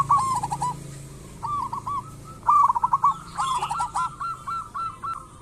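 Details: Local zebra dove song meant to prompt other doves to sing: coos repeated steadily, broken by two louder, stuttering trilled bursts, over a low background hum.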